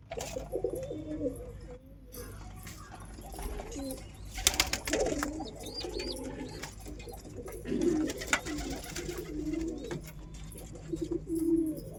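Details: Pigeon coos in a series of low, warbling phrases across twelve seconds, interrupted by clattering and flapping-like noise around the middle.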